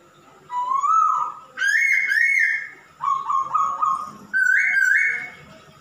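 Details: Male masked laughingthrush singing vigorously: rising whistled phrases, then bright paired whistles, a series of short stepped notes, and a final clear rising whistle.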